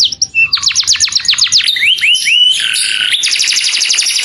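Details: Clear-voiced canary calling its companion: rapid falling notes, then rising slurred whistles, followed by a fine buzzy trill and a final run of quick repeated high notes.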